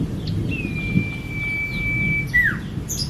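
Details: Actively singing common iora (cipo), recorded to coax other captive birds into song: one long, unwavering high whistle lasting nearly two seconds, then a brief falling slur, over a low rumbling background.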